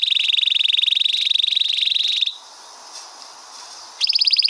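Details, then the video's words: Canary performing a long rolling song meant for tutoring: a fast, even, high-pitched trill for about two seconds, a short silent gap, then a slightly higher rapid trill resumes. "Suara burung kenari ngerol panjang bagus buat pemasteran"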